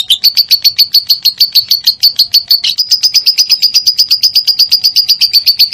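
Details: Lovebird song for prompting other lovebirds to sing: a rapid, unbroken train of shrill chirps that jumps to a slightly higher pitch partway through and keeps its brisk rhythm.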